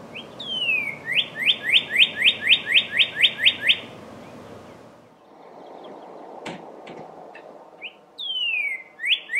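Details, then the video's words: Northern cardinal calling out for a mating partner in spring: a downslurred whistle, then about eleven quick upward whistled chirps, a pause with a sharp click and low rumble, and the downslurred phrase starting again. "Cardinal Bird Mating Call"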